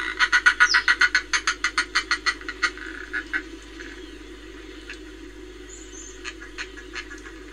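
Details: Northern fulmar, Reykjavik, Iceland, 25 April 2024: a loud burst of rapid, grating, chuckling pulses that slows and fades over about three seconds, followed by scattered clicks and a brief high whistle.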